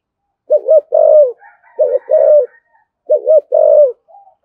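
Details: Low, rhythmic spotted dove cooing in the 'thổ sấm' manner, thúc gù and calling coos: three quick phrases under a second apart, each a trembling double note then a longer coo. Faint chirping sounds in the background.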